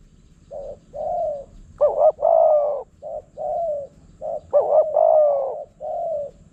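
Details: Spotted doves in Phrae, Thailand, a wild bird drawn in by a decoy: mid-pitched coos in phrases of short soft notes, then a stuttered double note and a long rolling coo, given twice, with faint low rumble behind.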